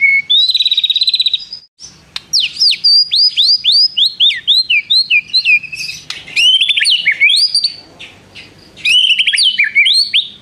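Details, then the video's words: Long white-rumped shama song full of imitated prinia trills. A ringing trill opens, followed by a quick series of sharp downslurred whistles, then varied chattering trills and swooping whistles. "MURAI BATU GACOR ISIAN nembak prenjak tirrr panjang2"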